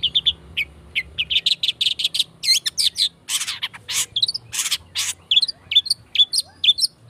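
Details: Long-tailed shrike used as a lure to provoke singing, in a fast, dense style: rapid run of sharp chirps and scratchy trills, high and varied, packed closely with brief buzzy bursts, over a faint low hum.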